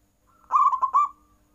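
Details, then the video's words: A single zebra dove phrase in the "nggayer" style that provokes rivals to answer: a faint lead-in, then three fast, warm, burbling coos ending in a soft trailing tone. "Perkutut nggayer full membuat lawan ikut bunyi"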